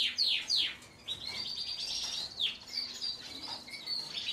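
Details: Belgian frizzle canary singing: high sweeping notes followed by a long buzzy trill and scattered chips, fairly distant against a noisy background.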